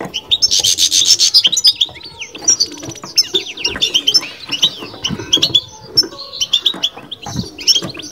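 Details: Caged European goldfinch delivering babtaba: opens with a rapid buzzy rattle, then moves into high twittering chirps and sliding slurred notes, with faint knocks throughout.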